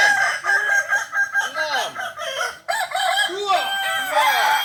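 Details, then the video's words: Kokok Balenggek rooster at a group practice session in Ampang Kualo, Kota Solok, delivering chains of short rising-and-falling arched syllables, repeated in bursts with a brief pause midway. "latberan ayam kukuak balenggek"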